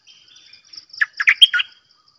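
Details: Bulbul decoy bird calling: soft twittering, then a brisk run of five rich, gurgling whistled notes rising and falling, set against a faint continuous high trill.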